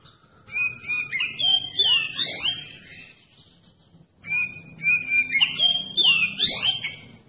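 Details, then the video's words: Oriental magpie-robin (kacer) song played as a lure to provoke other magpie-robins into answering and singing: two loud, rich phrases of clear whistles, sweeping slurs and buzzy trills, separated by about a second of quiet. "Kacer Anda Bisa Langsung Nyaut dan Gacor Pakai Video Kacer Pancingan ini"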